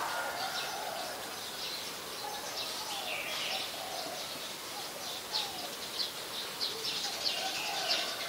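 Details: Olive-backed sunbird (Cinnyris jugularis) in mangrove forest in Thailand, giving thin, high chips and twittering notes with a few sharp clicks near the end, over a steady hiss of outdoor background.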